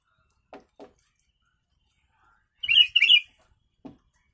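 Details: Yellow-vented bulbul singing a phrase filled with copied sooty-headed bulbul (kutilang) notes, meant for training birds: two quick bubbly, warbling bursts after soft clicks, then a faint click.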